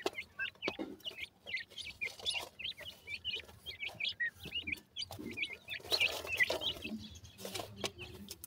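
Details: Black francolin chicks keep up steady, busy high-pitched cheeping: short squeaky notes tumble over each other, growing denser and louder toward the end, with faint low rustles.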